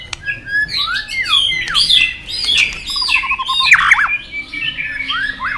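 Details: Caged White-rumped shama singing in competition style with many voices: dense, varied whistled phrases, swooping slurs and high chips, a quick even series of short notes in the middle, then looping downward whistles.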